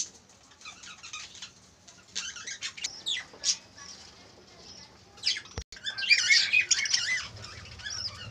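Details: Spangle budgerigars in cages during mating chatter in bursts of scratchy, warbling chirps and squawks, with wing flutters between.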